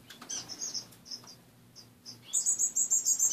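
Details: Pet finches in a bare cage chirp softly in short high notes, then one bird breaks into a quick run of rapid, evenly repeated bright notes, about four per second, over a low background hum.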